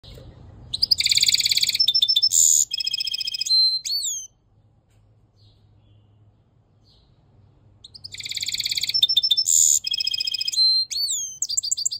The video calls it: European Goldfinch mule singing